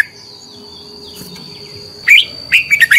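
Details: Red-whiskered bulbul lure bird giving competitive fighting song, used to train and stimulate other bulbuls to sing: after two quiet seconds, a burst of bright, warbled phrases with quick rising and falling whistled notes, over a faint steady high hum.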